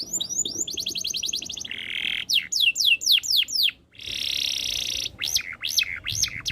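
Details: Canary singing pulsed trills, a harsh buzzy roll, then loud downslurred whistles in quick series, a sustained dense rattle, and finally arched, swooping notes repeated about twice per second.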